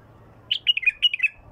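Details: Bulbul song phrase with a clean, pure voice: about seven quick, clear whistled notes in two short bursts, slightly falling in pitch, over a quiet background.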